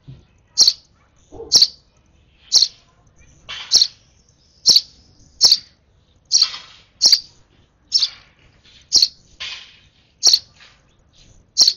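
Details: Baby sparrow during its last hand-feeding gives a long, regular run of shrill high chirps, about one per second for twelve seconds, with some notes slightly buzzy.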